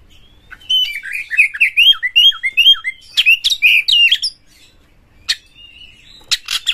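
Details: Oriental magpie-robin described as aggressive, singing to get other kept magpie-robins going: a fast string of down-slurred whistles, then harsher rapid notes, a pause, and scattered sharp clicks.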